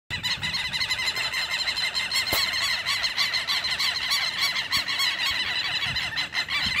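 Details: Two flocks of southern lapwings (quero-quero), which appear to be confronting each other, produce a dense, continuous chorus of shrill, harsh, rapidly repeated overlapping calls with no pause. A single sharp click sounds midway.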